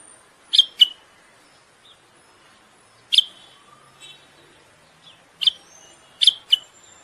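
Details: Common bulbul singing during mating, meant to ready the female for breeding: sharp, high, downslurred chips in pairs and singles, spaced by pauses of one to three seconds, against a quiet background.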